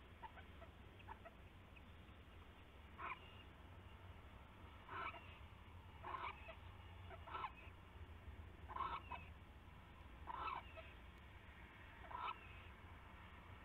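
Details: Owlets inside a nest box at night, 7 January 2016 around 11 PM, giving short raspy screeches every one to two seconds over a steady low hum.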